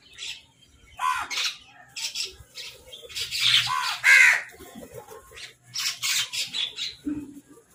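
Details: Crows fighting over food while eating: harsh, hoarse caws in irregular bursts, some overlapping, with a loud rasping pair near the middle and scattered chattering calls between.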